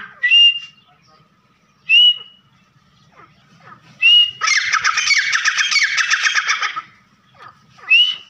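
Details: Partridge call played to lure birds into a trap: short whistled notes slurring upward, repeated roughly every two seconds, broken by a long, dense burst of fast rattling chatter lasting over two seconds.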